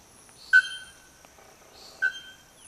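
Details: A bare-throated bellbird (araponga, Procnias nudicollis) about forty metres away among branches gives two loud, ringing metallic clangs about 1.5 seconds apart. Each falls off into a brief tonal ring over a thin, steady high insect hum.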